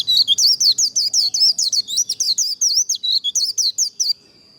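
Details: Fast líu contest song of a white-eye, used to train birds for singing competitions: four seconds of quick, shrill, zigzag twitters packed closely together, ending abruptly and leaving only a thin steady high tone.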